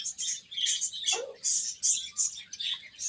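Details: Little chicks eating and chirping, loud sharp high peeps in quick irregular bursts, about two or three per second, one lower sliding note midway.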